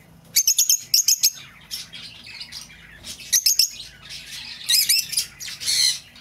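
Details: Lovebird calls for recalling a lost bird: short bursts of rapid high chirps mixed with harsher squawky notes.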